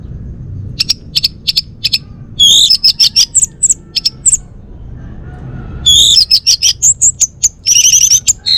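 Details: Bali male orange-headed thrush delivers a lively song: evenly spaced thin high chips, then rushing runs of whistled and buzzy notes, the pattern repeating twice with short pauses.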